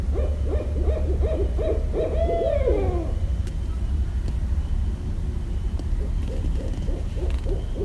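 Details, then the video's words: Barred owl in Westchester, New York, recorded 5.1.17, giving a rapid run of excited hoots ending in a long slurred descending note, followed after a pause by another fainter series of quick hoots, with constant low-frequency rumble behind. "Barred Owl Calls (New York)"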